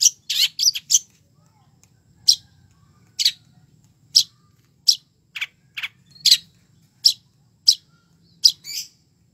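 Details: A long-tailed shrike sings busily with fancy fill-in phrases. A quick cluster of harsh high notes is followed by single sharp chirps spaced about every half to one second.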